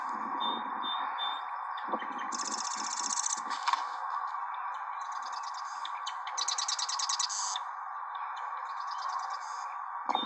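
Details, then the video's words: Marsh wren song, amplified during editing: rapid, high, mechanical rattling trills given twice, each about a second long, with scratchy notes between, over a steady mill hum, low rumbles and other distracting background noise. "Now you can hear the marsh wren."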